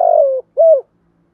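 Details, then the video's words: Spotted dove kept as a cage bird, singing in the thổ thúc gù style: a fragment of two mellow hooting coos, the first longer and slightly falling, the second short and arched, then quiet. "cu gáy giọng thổ Thúc Gù/ tiếng gáy hay và bài bản của một con chim cảnh chuẩn"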